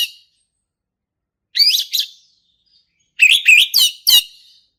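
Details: Singing male orange-headed thrush in the energetic ngeplong style, meant as a lure for young birds learning: short whistled, warbling phrases with sharp clicks, a brief pair of notes then a denser four-note burst after a pause.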